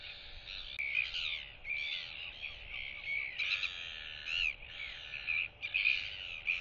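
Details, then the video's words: Display by a young Royal albatross chick, whistling toward neighbouring chicks that clack in reply, 8 July 2023; repeated bursts of strong, harmonic whistled calls, each about half a second to a second long, with brief gaps. "Royal Albatross ~ NTF Follows SSTrig's Footsteps & Displays & Whistles to UQ & Quarry Chicks!"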